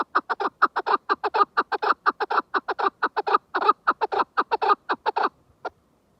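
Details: {'caption': 'Chukar partridge pouring out quick, paired, grating chuk notes in a rhythmic stream, slowing and thinning near the end to a final isolated note, then silence.'}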